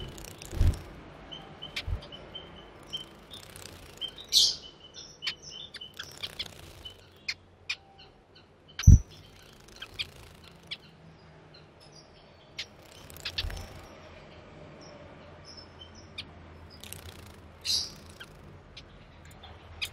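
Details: Timor zebra finches, males and females, recorded 4 January 2020; scattered sharp chirps and clicks with soft thin high notes, a few buzzy bursts, and occasional loud low knocks in the background.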